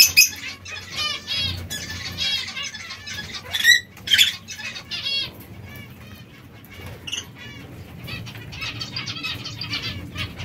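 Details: Zebra finches feeding on seeds and fresh lettuce: dense runs of short, nasal, buzzy chirps that cluster in the first four seconds, then thin out, over low background rumble and wing flutters.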